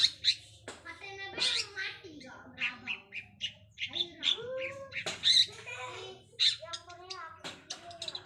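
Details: Long-tailed shrike learning deluxe mimicked fill-in sounds, mixing harsh squawking notes, curved whistled slurs and sharp high chips in an uneven, chattering run.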